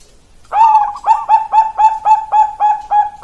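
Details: Zebra dove of the Bangkok type from Indonesian stock: a short purring trill opens, followed by steady, evenly paced soft coos about four per second on one pitch.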